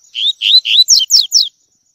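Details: Double-collared seedeater singing the tui tui song style, recorded for training young birds: three rising, slurred whistles followed by three sharper, higher downslurred notes, all within about one and a half seconds.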